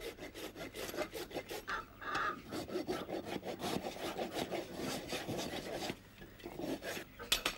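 Continuous rasping and scraping noise, like filing or rubbing, with irregular bursts and no animal voice heard.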